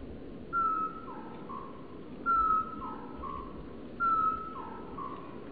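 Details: Singing male great tit, early spring sunshine, 25 February 2014: three phrases, each a loud high whistle followed by two quieter descending notes, repeated at a steady pace over faint low background noise.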